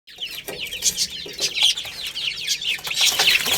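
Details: Many chicken chicks playing and eating, chirping in a dense overlapping chorus of high, thin peeps that sweep downward, rapid and continuous, with a few sharp clicks mixed in.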